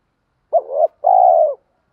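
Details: Spotted dove coo for stimulating wild-caught birds in training. A clipped first note bends into a wavering phrase, then a sustained, smooth, gently descending coo follows after a short gap. No other sounds.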